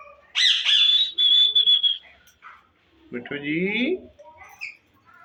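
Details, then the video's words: Green ringneck Indian talking parrot, captive in a breeding setup, starts with a harsh note, holds a long clear high whistle for over a second, then after a pause utters a speech-like phrase with rising inflection. "green ringneck Indian talking parrot"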